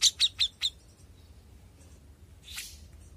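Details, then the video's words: Young grey-cheeked bulbul giving four quick, sharp chirps in under a second, followed by quiet and a soft rushing burst near the end. "CUCAK JENGGOT MUDA GACOR!!"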